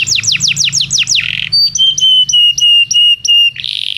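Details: Belgian canary singing, meant for training non-singing canaries: a run of steeply falling whistled sweeps, a short buzz, then a string of level clear whistles repeated about three times a second, ending in a rough buzzy phrase.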